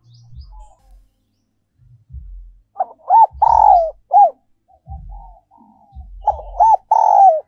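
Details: Decoy spotted dove song, 'giọng còi' style, also called 'giọng kim', 2022: two full phrases of clipped rising-falling coos and a sustained croon, separated by quiet soft notes and low thudding.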